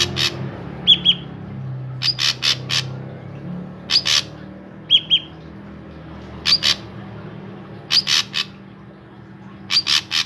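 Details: Drongo in full, lively song, used as a lure to get other drongos singing: clusters of harsh, rasping bursts alternate with pairs of short clear whistles, repeated in bouts every one to two seconds over a low steady hum.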